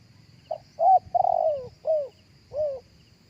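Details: A spotted dove coos live, recorded for playback to lure doves. A quick opening note leads to a steady coo, a long vibrating coo that falls in pitch, and two more downward-curving coos spaced apart. A faint high insect drone plays in the background.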